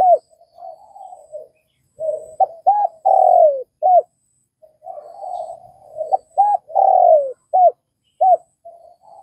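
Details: Spotted dove calling in Vietnam: murmured cooing builds into short arched notes and a long descending coo, the phrase given twice about four seconds apart.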